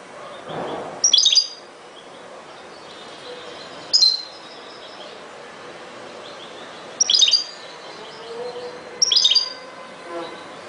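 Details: European goldfinch singing in 2021: four short bursts of bright, high tinkling twitters spaced a few seconds apart over steady background hiss and a low murmur.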